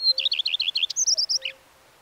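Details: A close, loud Common redstart phrase: a clear high note, then about seven quick repeated dipping notes, followed by a few higher whistled notes and a final rough dropping note.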